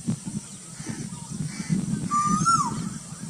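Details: Cuckoo calling in Burdwan: one clear whistled note that slides upward, then drops quickly near the end. A steady low rumbling murmur runs underneath.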